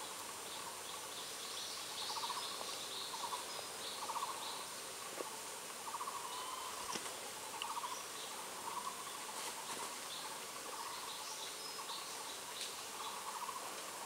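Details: A collared owlet at the nest in Jiaxian on 2 May 2021, during breeding, as the male brings food to the incubating female. It gives soft, hollow whistled notes in short repeated groups, amid other birds' chirps and insect hum.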